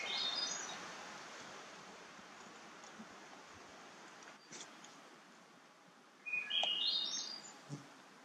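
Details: Hermit Thrush singing in a bog at Parc Frontenac, St-Daniel sector, during a walk. A faint high note opens the clip. Near the end comes a louder phrase: a steady clear note, then fluty notes that climb higher. Soft rural background hiss.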